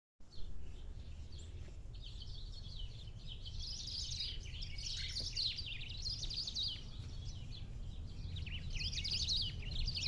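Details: Black-throated saltator singing in the wild countryside: after a quiet start, a run of rapid, warbled, slurred high phrases continues to the end over a steady low rumble.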